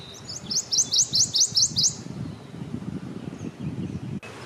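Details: A Prothonotary Warbler, out in the open very close at a US birding festival, sings a quick run of about eight ringing, high, upslurred notes, sweet-sweet-sweet, over low wind rumble.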